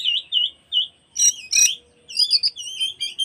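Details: An oriental magpie-robin, singing as an afternoon lure for other magpie-robins, repeats looping whistled notes, then two harsh buzzy bursts, followed by quicker wavering whistles.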